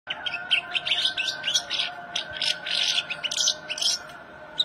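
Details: Male goldfinch singing a fast, unbroken twittering song of bright tinkling chirps and short buzzy trills, the quick notes shifting constantly in pitch, over a faint steady background hum.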